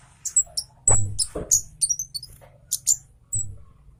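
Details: Javan orange-headed thrush, singing fast and agitated with the bill wide open. Quick bursts of high, sharp whistled notes and slurs are broken by low knocks and a dull background hum.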